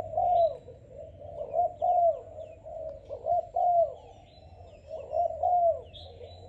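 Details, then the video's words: Malaysian-type young spotted dove, a chosen bird, coos in rounded, purring phrases that rise and fall, with uneven gaps. Brief high twitters from other birds sound behind it. "Cu gáy Malaysia/chim tơ tuyển chọn"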